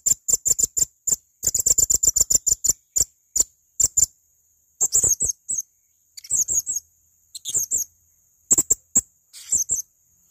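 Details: Male blue-crowned hanging parrot singing in lively gacor style, recorded as a tutor track for training birds: very high, sharp ticking notes in fast runs of a dozen, then short buzzy clusters of three or four chips separated by brief pauses.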